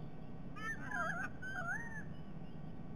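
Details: White-bellied sea eagles, two birds, at a nest camera in Sydney Olympic Park, Australia, during their last shared breakfast on 22 October 2021. Whistled, wavering yelping calls rise and fall over about one and a half seconds above a steady low hum.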